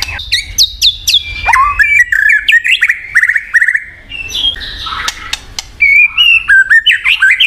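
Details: White-rumped shama (murai batu) song used to encourage a silent bird: fast descending whistles, then rising slurred phrases and a brief harsh buzz, followed by rapid repeated clicking notes.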